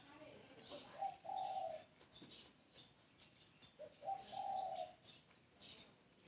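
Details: Spotted dove song: two clear low phrases three seconds apart, each a soft short note followed by a sustained, burry coo, with thin high chirps of other birds scattered behind.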